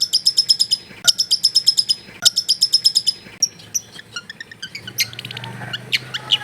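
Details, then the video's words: Long-tailed shrike in full mimicry-rich song, taped in a densely populated residential area: fast bursts of rapid high staccato notes repeated in trills, then varied twittering phrases and short chattering notes. "CENDET GACOR FULL ISIAN MEWAH"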